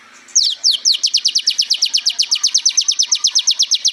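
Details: Kolibri ninja sunbird song used to get young birds singing: a rapid, steady series of about thirty sharp, downslurred high notes, delivered like a fast rattle.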